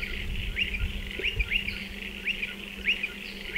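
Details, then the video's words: Striated pardalotes around burrows in a dry stone wall, giving sharp upslurred chirps in pairs and singles over steady background hiss and a low hum. "Striated Pardalote calls and behaviour"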